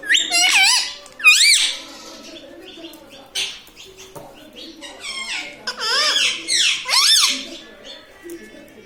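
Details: Household parrot imitating the words mummy and papa: a series of high, bending, speech-like syllables in clusters at the start and again later, separated by quieter stretches with soft rustles and clicks.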